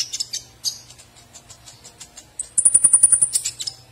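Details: Konin singing a busy, jumbled sequence of quick high chirps and twitters, then a rapid stuttering series of notes under a long, very high, thin sustained whistle.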